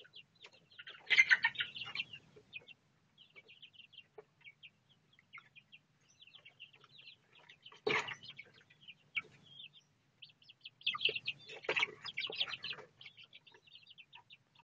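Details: Four young Bangkok game chickens raised in captivity, 1 month 26 days old, hatched 26 September 2013: bursts of high piping chirps in loose clusters, broken by three loud rustling, scuffling thumps.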